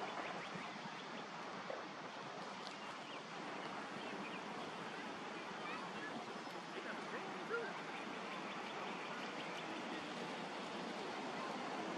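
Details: Steady broadband rushing, like running water or wind, continues throughout with no animal calls.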